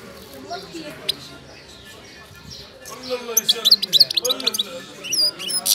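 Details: A captive Moroccan European goldfinch, currently moulting, breaks into quick, bright, tinkling twitters and short trills in the second half, while low human voices murmur throughout.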